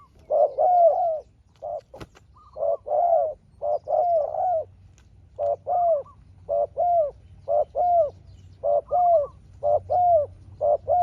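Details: Spotted dove and a small-voiced wild dove competing at length: a steady run of more than a dozen low cooing phrases, short and long notes alternating, with one brief click near the start.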